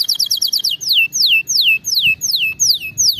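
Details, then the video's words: Canary singing, a recording meant for teaching canaries proper song: a quick high trill opens, followed by a steady run of clear descending whistled slurs, roughly two per second. "غناء كناري دمار لتدريب طيور الكناري 🐦 على الغناء الصحيح"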